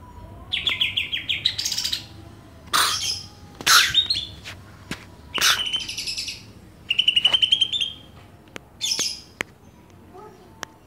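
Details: Varied song of greater green leafbirds from Banyuwangi and Kalimantan: scattered fast chattering trills, sharp clicks and loud broadband squeaky notes separated by brief silences.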